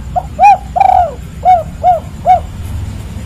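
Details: Spotted dove giving its 'kuk 3' style call: mellow, slightly rising-then-falling coos, a short note followed by a longer drawn one, then three evenly spaced coos about every 0.4 seconds, over low background rumble.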